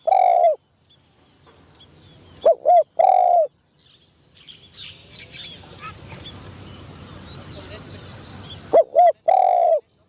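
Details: Decoy spotted dove, trained in a trapping enclosure for the first time, repeats its low, hollow coo three times, each phrase two brief notes then a prolonged croo, with faint rustling and background chatter between phrases.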